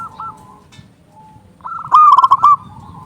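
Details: Local zebra dove, loud and vocal, calling to lure doves. Quiet trilling coos lead into one loud, fast run of staccato cooing notes lasting about half a second.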